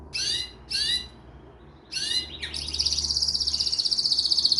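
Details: Canary giving three short sweeping chirp bursts with gaps, then launching into a fast, high, sustained trill that grows louder toward the end.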